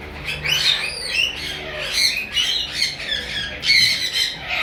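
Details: A breeding pair of sun conures give harsh, raspy squawks and chattering screeches, overlapping and irregular, several times a second in bursts, high-pitched and grating.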